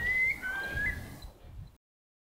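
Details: Eurasian curlew calling at Rainham Marshes, South Essex, near East London: a steady high whistle, then a lower note sliding upward, over faint wind rumble; it then took off calling.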